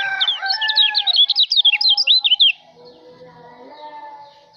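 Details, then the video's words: White-eye from Lombok singing a rapid twittering run of high, thin, warbled notes for about two and a half seconds, then fading into a quiet background hum. "kicau burung kecial lombok"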